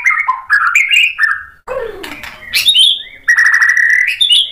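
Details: White-rumped shama singing to provoke another bird, with mixed whistled phrases, a falling harsh swoop, a high bright note and a long steady whistle closing the passage.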